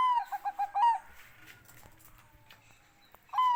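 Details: Bangkok-type zebra dove song: a slurred falling coo followed by four rapid, bubbling staccato notes, then a soft pause with faint background hum before the next phrase begins.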